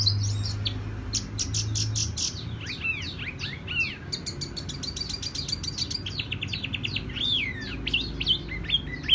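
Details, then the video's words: Tiểu mi songbird singing a soft, echoing song: fast series of very high clipped notes, rapid stuttering trills, and lilting whistled phrases rising and falling, sustained throughout over faint low hum. "Chim tiểu mi hót tiếng vang dịu"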